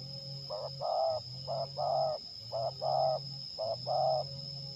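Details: Lure-bird spotted dove (terkukur) tested for fighting during trapping at Liwa, West Lampung, Indonesia, cooing in four pairs, each a brief note followed by a longer husky coo, about one pair per second, over a steady high whine and low rumble.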